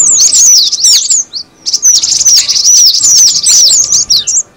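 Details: Cinereous tit calls used as a lure: fast chattering series of high, sharp downslurred notes, two long bursts split by a brief silence, a faint steady hum in the background.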